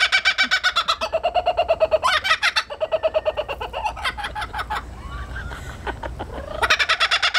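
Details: Laughing kookaburra cackling in fast pulsed bursts that open and close the recording, with softer chuckling and scattered chatter between, notes stepping up and down in a rollicking rhythm.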